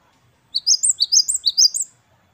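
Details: Great tit (gelatik batu wingko) singing 'wucit-wucit kristal': a tight run of about eight bright, sharply swept high notes in alternating pairs lasting roughly a second and a half, against a clean quiet background.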